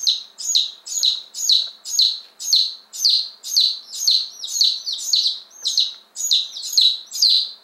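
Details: Fifteen one-day-old chicks of two rare crested breeds, Appenzeller Spitzhauben and White Crested Blue Polish, newly delivered in May 2015, give steady high piercing peeps, about two each second, each sliding downward.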